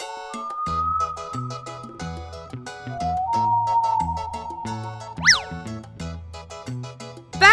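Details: Bright children's music with synthesized melody, steady bass notes and a springy boing effect near the end; no animal voices.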